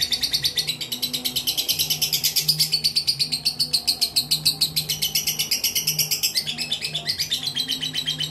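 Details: Mentil-style singing from a competition fighter lovebird noted for songs lasting up to three minutes twenty seconds: sustained, bright, high-pitched chatter in steady rapid pulses throughout, with slight rises and falls in pitch.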